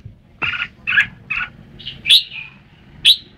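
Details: Song of a red-whiskered bulbul: three husky chirped notes, then a rising warbled phrase with bright piercing accents, against a faint low rumble.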